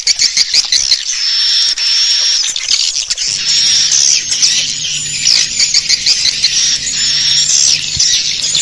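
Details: Swiftlet call for luring the birds to roost in a bird house: steady shrill chattering and chirps, with a low steady hum underneath from about three seconds onward.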